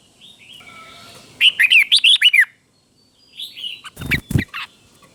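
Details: Red-whiskered bulbul kept in a cage as a teacher bird, singing one crisp burst of about six rapid slurred notes, followed by a softer warbled phrase mixed with a few knocking thumps.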